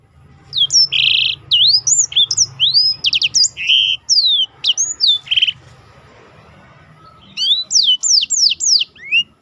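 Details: Competition-training song of a black-throated canary: rapid high whistled sweeps mixed with short buzzy notes, a pause of about two seconds, then a fresh burst of quick descending whistles.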